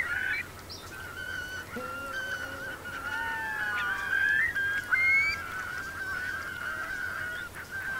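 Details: Distant roost of Eurasian curlews, about 3,000 strong, in the Bay of Somme's Marquenterre wet meadows at high tide, 7 October 2021. Thin whistled calls, some rising, drift over a hissing background.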